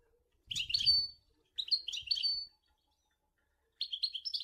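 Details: European goldfinch singing in the sour el gouzlane style: three bursts of bright, tinkling twitters and chirps, the first two close together and the last after a pause, with soft low thumps beneath the first phrase.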